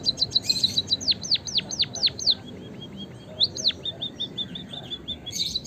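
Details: Lively chirps of a white-headed munia, used as a lure so kept birds will sing: high, thin notes that dive sharply downward, then a run of softer, quick twitters before the chirps resume.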